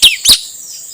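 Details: Male puling, also called nuri tanau, recorded for luring wild birds: two loud, harsh, screechy notes that sweep sharply downward, about a quarter second apart, then a faint steady hiss.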